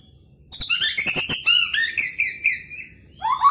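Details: White-rumped shama of Medan type prepared for the 2019 President Cup, mimicking cililin, canary and lovebird: fast jumbled phrases of chirps and slurred whistles over sharp clicks, ending in a loud downward whistle.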